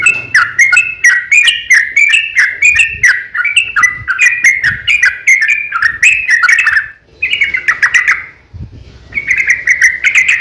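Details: {'text': 'A yellow-vented bulbul delivers its long fighting song, a lure to make other bulbuls sing: rapid, rolling whistled notes for about seven seconds, a harsh burst, a brief silence, then the chatter resumes.'}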